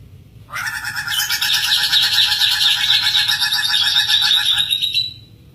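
Hooded butcherbird giving a loud, harsh, rapid chatter of rich ringing notes, about two or three per second, held for nearly five seconds with no gap.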